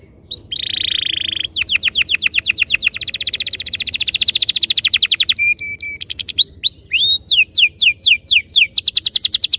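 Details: Canary lure song for prompting rolling ngerol singing: a steady buzzy tone, then long fast trills of high repeated notes, changing into sharp downslurred whistles and rising chips.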